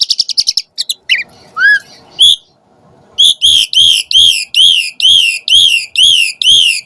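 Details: Asian pied starling calls used as a lure to provoke other starlings into answering and singing: a quick burst of high varied whistles and slurred notes, then a steady series of loud, downward-curving whistled notes about twice a second.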